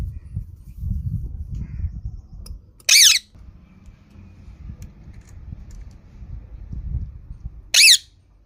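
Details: Green parrot, two short harsh screeches roughly five seconds apart, loud and rasping, with low room rumble and soft thumps in between.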